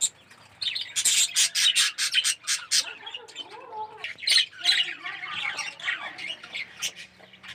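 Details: Red-eyed yellow budgies in an aviary colony; harsh squawks and rapid chirping in a dense series, with softer warbled notes afterwards.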